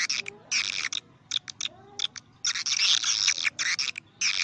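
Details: Swiftlet lure call for swiftlet houses. Bursts of high, harsh twittering are broken by short gaps, some bursts single and some long and continuous.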